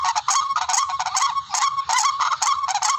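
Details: Barred rail, known locally as tikling, heard as a hunting lure: short bursts of harsh, nasal honking notes in quick clusters separated by brief gaps.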